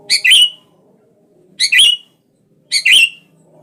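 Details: Sooty-headed bulbul calling to goad a rival into song, giving three loud, rasping two-part chirps spaced about 1.3 seconds apart, each a short note followed by a longer grating one.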